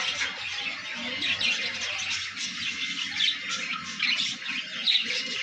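Parrots give a dense, continuous chatter of harsh squawks and sharp chirps, several birds overlapping with no pause.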